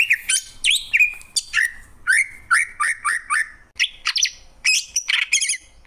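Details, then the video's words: Greater green leafbird sings a lively run of varied phrases: clear, falling whistles mixed with quick chirps and buzzy trills, delivered almost without pause in a quiet setting. "Cucak ijo, suara kicauan burung yang indah."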